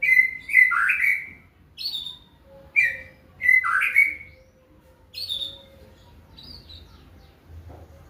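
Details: White-rumped shama performing macul style with complete mimicked content: bright whistled phrases, some swooping down then up, repeated about twice per second before fading into softer notes, with a faint steady hum behind.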